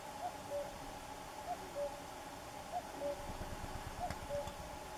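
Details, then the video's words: Common cuckoo calling 'cu-coo' four times, each phrase dropping in pitch from a brief first note to a longer second, about 1.3 seconds apart, with low rumbling background noise. "El canto del cuco"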